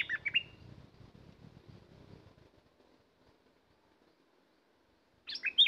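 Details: Bulbul song in two bursts: a brief run of bright, bubbling notes at the start, a long near-silent gap, then another chattering warbled phrase beginning near the end.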